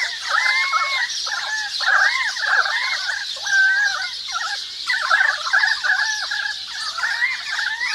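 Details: Currawongs, possibly Pied Currawongs though the owner is unsure, calling in a forest, one pecking a kurrajong seed pod: loud gurgling warbled phrases in overlapping bursts over about eight seconds, above a high hiss of sparrows and other birds chattering.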